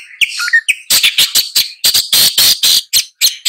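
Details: Long-tailed shrike starts with a few whistled notes, then breaks into dense, loud, buzzy chatter of rapid harsh notes.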